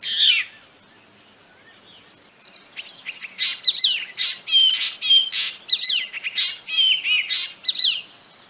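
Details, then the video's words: Black drongo calling: a loud harsh burst opens, then after a short quiet spell comes a rapid, irregular run of sharp, metallic chirps and scratchy down-slurred notes, several per second, with a faint whistled note early on. "Black Drongo Call"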